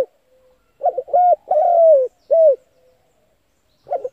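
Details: Spotted dove calling, played to make decoy doves coo for trapping: a faint note, then a phrase of two short coos, a long falling coo and a short final coo, with a new phrase beginning at the end. Quiet background.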